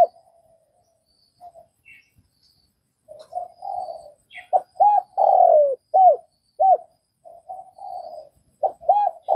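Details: Vietnamese spotted dove giving its coo: a quiet start, then low purring notes building into a series of strong, rounded coos, a longer drawn note among them, with faint distant chirps.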